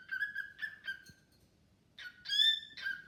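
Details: A pet cockatiel singing to a new bird companion gives short harmonic whistles near one pitch: three notes, a pause, then three louder notes.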